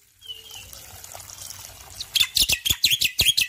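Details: Male black-winged myna, morning song over steady running water: a thin whistle early on, then a lively run of loud, harsh chattering notes with squeaky accents.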